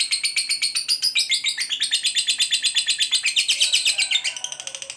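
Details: Gacor fighter lovebird giving a long ngekek trill meant to provoke other lovebirds: a rapid chattering run of shrill notes about four per second, pitch wavering up and down, ending in a lower buzzy tail.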